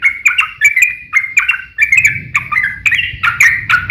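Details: Fighting song of a yellow-vented bulbul, long 'ropel' chatter intended to make other bulbuls answer. Loud bubbly warbled notes come in bursts about every quarter second, over a faint low rumble in the second half.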